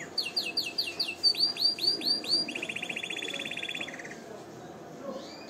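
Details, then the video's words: Canary song used for singing training and to stimulate females to mate: a series of swooping whistled notes repeated about every quarter second, then a fast dry trill that fades out. "اقوى تغريد كناري للتسميع و تهييج الانات للتزاوج حصريا canary singing training"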